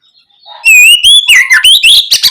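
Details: Oriental magpie-robin lure song, loud and clear, used to prompt young birds to reply: after near-silence, one phrase opens with a bright rising-and-falling whistle, then breaks into rapid sharp chattering notes.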